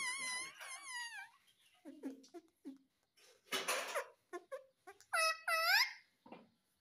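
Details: Talking parrot kept as a pet and said to speak "Mummy Papa": wavering harmonic squeals open the recording, followed by mumbled low sounds and breathy noise, then two bright looping whistled calls near the end in a small room.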